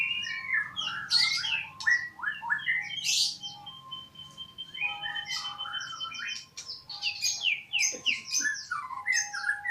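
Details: Magpie-robin delivering a rich, varied song of quick whistles, slurred upward notes and chirps, with a steady tone running in the background.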